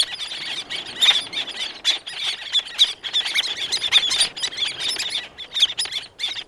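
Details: Black-naped terns, several calling up close with more in the distance and audible wing beats; loud, sharp rasping notes burst in quick overlapping volleys with brief gaps.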